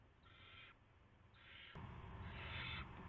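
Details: Owl at its nest at about 5:20 AM on March 9, 2016, with a rat being brought in. Two short, coarse hisses are followed by a longer, louder rasping burst, as a sudden broad rustle and thump fill the low range.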